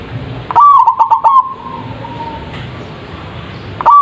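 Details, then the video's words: Big-voiced zebra dove (perkutut) lure to make birds answer: a loud phrase of fast, stuttered low coos ending in a drawn-out tail, then near silence until a second phrase begins at the end. "PANCINGAN PERKUTUT anti GAGAL suara GEDE langsung nyaut.!!!"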